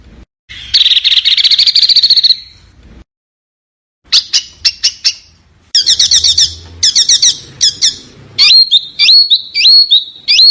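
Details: Small bird singing, recorded as master material for competition cage birds to learn; a buzzy rasp, then sharp separate chips, rapid chatter and finally repeated upslurred whistles.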